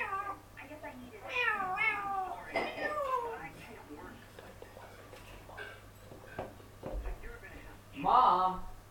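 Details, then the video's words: Indoor parrot shouting "Mom" and "bye-bye" and making crazy sounds: sliding, falling harmonic calls early on, quieter scattered clicks in the middle, and a brief loud squawk near the end. "Parrot shouts Mom, hello, Bye Bye and making crazy sounds"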